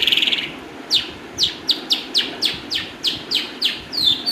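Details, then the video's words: A Calandra lark sings a quick buzzy trill, then a run of sharp, down-slurred chips about three per second, ending on a higher whistled note. "lark clandra singing bird"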